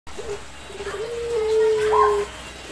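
A Eurasian collared dove gives a low, hollow coo: a brief opening note, then a drawn-out steady tone lasting over a second, in a quiet room.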